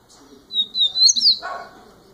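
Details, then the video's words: A single loud, piercing whistled phrase from a young double-collared seedeater in its first year of life, sliding slightly upward and ending in a sharp flourish, followed by a soft thump. "COLEIRO NOVINHO MAIS TOP 1¤ ANO DE VIDA"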